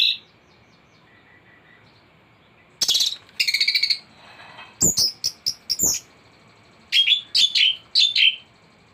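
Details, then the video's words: Thrush in a full-repertoire tutoring recording: after near silence, loud buzzy bursts, a string of sharp separated notes, then a run of clear warbled whistles repeated about four times. "Anis gacor teler isian komplit materi masteran burung anis pancingan bunyi"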